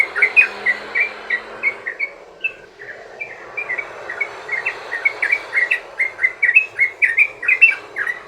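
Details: Sooty-headed bulbul long rolling song played to draw other bulbuls into song: a steady stream of chirpy notes with a brief lull midway, then a faster, tighter run of repeated chirps.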